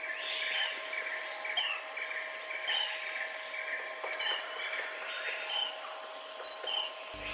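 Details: Black-backed Dwarf Kingfisher in Thailand, tiny but shrill-voiced, giving six very high, thin, shrill notes about one second apart over a steady buzzing background hum.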